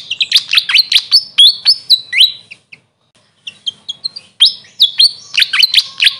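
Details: Grey fantail, locally called Maria Capra, giving rapid high chirps and sharp downward and upward sweeps in two bursts separated by a brief pause, with short flat whistled notes between.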